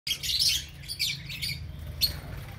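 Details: Lovebirds in an aviary, described as happy, chattering in a dense, overlapping flurry of high, shrill chirps and squeaks, with a steady low hum underneath.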